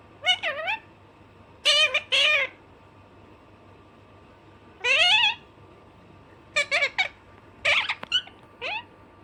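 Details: Alexandrine parakeet, described as naughty, giving a series of loud harsh screeching calls in short bursts with rising and falling inflections, separated by brief pauses, with a steady low hum in the background.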